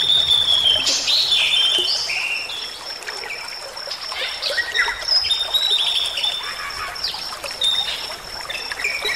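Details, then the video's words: Bali myna song used as a master recording for training songbirds to sing, with varied whistled phrases and slurred notes, rising and falling, mixed with chatter over a steady high hiss. "Suara Jalak Bali Gacor"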